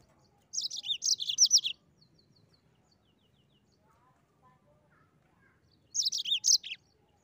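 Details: Mozambique canary singing actively in the rolling 'ngeroll' style: two short bursts of bright, high chattering trills, each about a second long, separated by a long quiet gap with only faint thin notes.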